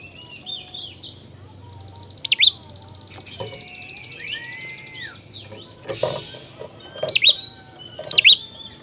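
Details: Oriental magpie-robin in full song, used as therapy to make other magpie-robins agitated and spread their tails: clear whistled phrases with sweeping, slurred notes and short harsh bursts, separated by pauses, over a faint low hum.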